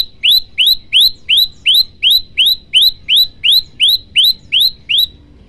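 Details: A male olive-backed tailorbird in full song, used as a lure and tutor call for other tailorbirds, repeats a loud, sharp rising note about thirteen times, roughly two to three per second, in a clear, steady run.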